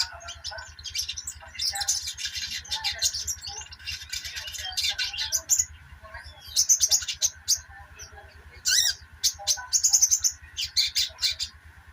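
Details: Little spiderhunter (sogok ontong, sogon) chattering 'ngeriwik', used as therapy to get silent sogon to sing: bursts of high, sharp chirps and twitters with short pauses, over a steady electrical hum and low rhythmic mechanical pulsing.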